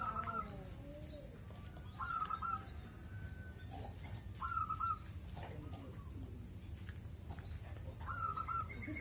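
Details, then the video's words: Zebra dove kept at a house, singing for hours: short soft trilled cooing phrases repeated every two to three seconds, quiet under a steady low rumble and scattered background clatter. "Burung perkutut bunyi gacor berjam jam"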